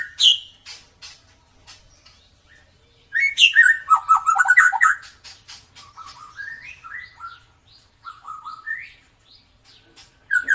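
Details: Klewer-tailed white-rumped shama singing richly as a lure for birds that rarely sing: sharp high notes, then a loud burst of tumbling warbled whistles, softer rising slurs and scattered clicks between pauses.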